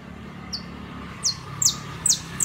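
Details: A criollo basto canary singing gives sparse, thin, high notes, each a quick downward sweep, about five in a row with gaps of roughly half a second, over a faint low hum.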